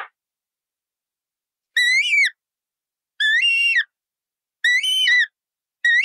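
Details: Colourful parrot repeating loud, wavering, harmonic whistles, one about every one and a half seconds, each with a rising and falling contour.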